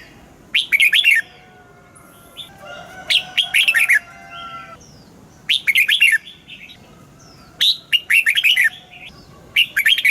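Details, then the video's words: Red-whiskered bulbul, kept for song training, singing its morning song in the wild-style double-note manner. Five loud, quick warbled phrases of three to five notes arrive every two to three seconds. Faint high thin notes and a steady low hum sit behind. "Luyện giọng cho chào mào hót sáng, ép chào mào hót âm kép già rừng hay tuyệt!"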